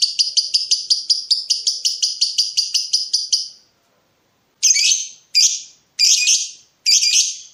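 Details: Lovebird in breeding mood, provoking a rival: a long rapid stuttering trill of high chattering notes for about three and a half seconds, then a pause and four short harsh screechy calls.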